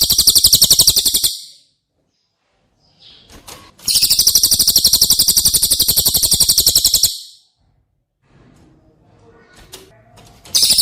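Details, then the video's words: Cililin song played as tutoring material for caged White-rumped shamas: repeated bursts of a shrill, rapid, evenly pulsed trill, the longest running about three seconds, separated by pauses with faint clicks and rustling. "Masteran CILILIN Materi Wajib untuk Burung Murai Batu anda!!"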